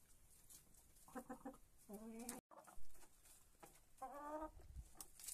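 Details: Hens eating at daybreak in the coop; a few stuttered clucks, then longer harmonic moaning calls around two and four seconds, separated by a brief gap and pecking knocks.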